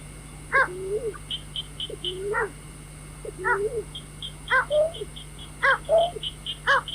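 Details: Night trapping lure of a white-breasted waterhen: raucous stacked notes in an irregular series, some with low slurred croaks after them, plus short high chirps from another bird and a continuous hum.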